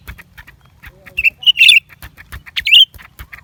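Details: Loud, squawky chirps and rising whistled slurs from a lesser green leafbird, closely spaced over three seconds, with a faint low murmur beneath.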